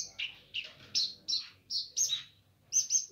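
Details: Gacor nganar song of a Streaked spiderhunter: loud, harsh, high chirps repeated about every third of a second, some with buzzy falling tails, above a faint low hum.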